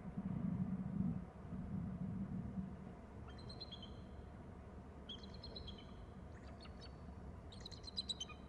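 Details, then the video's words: An eagle flying in from low to land on a branch calls in flight and on landing: after a low wind rumble, high, thin chittering bursts of squeaky notes repeated every second or two. "Eagle calls"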